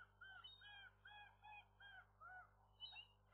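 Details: Gulls of a young first-time pair at their nest on the day the first egg was laid, around midday; a series of short, repeated mewing calls with a downward curve, about two per second.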